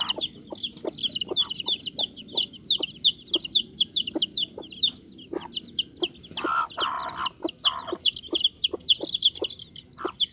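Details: Young Bangkok fowl peep nonstop, high and piercing, in a thick overlapping flock chorus; frequent pecking taps and a short rustling noise midway accompany them.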